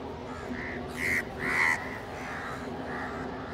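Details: Crows feeding together beside pigeons; two loud rasping caws near the middle, followed by softer overlapping caws from other birds, with background hum.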